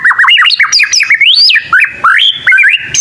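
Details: Loud, rapid song of a young white-rumped shama still learning: a dense string of clear whistled notes leaping up and down, with sharp chips and a sweeping rising whistle.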